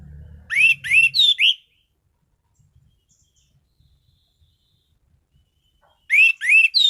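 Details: Caged orange-headed thrush (anis cendana) in strong song: a run of four loud upslurred whistles, a pause with faint clicks, then three more rising whistles; low rumble at the start.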